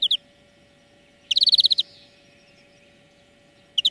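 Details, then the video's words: European greenfinch song lesson for training birds: a brisk rattling trill of about ten rapid notes, bracketed by brief chirps, with quiet gaps and a steady hum in the background. "Florya Ötüm Dersi"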